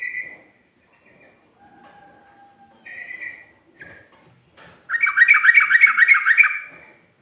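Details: Sooty-headed bulbul song in ropel style with ngikluk and garuda elements: scattered short whistled notes and a faint thin tone, then a loud, rapid, evenly spaced string of about eight bouncing, slurred notes.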